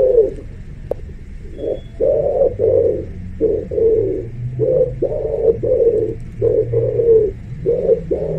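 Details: Deep, hollow pigeon coos in a steady string over a constant hum and low background rumble.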